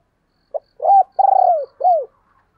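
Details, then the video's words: Spotted dove calling in the gáy gọi style, 2022: one brief low note, a rising-then-level coo, a long rolled, slightly falling purr, then a final arched, dropping coo. Nothing else is heard. "tiếng cu gáy/ thúc + gáy gọi"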